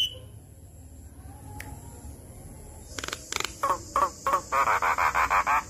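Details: Lure call from an adult Javan myna meant to draw replies from other mynas. After a quiet start comes a series of harsh, rasping notes that speed up into a rapid chattering burst.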